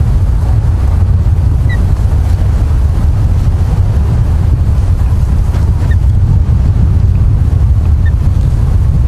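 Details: Steady wind and low rumbling water noise buffet the microphone throughout, with no animal calls.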